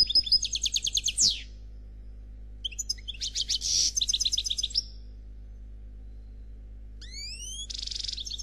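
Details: Black goldfinch singing the khalwi style without faults: a quick trill ending in a downslurred note, a buzzy twittering phrase after a pause, then three clear rising whistles and a buzz.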